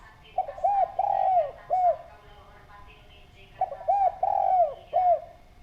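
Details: Two repeated cooing phrases from a spotted dove used as a lure, each a short coo, a long rolling coo and a clipped final coo, separated by a gap of about two seconds.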